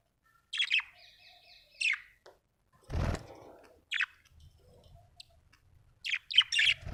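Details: Happy budgerigar making scattered bright chirps and short twitters at irregular intervals, one longer trilled note early, with a low knock midway and light background rustling in a small room.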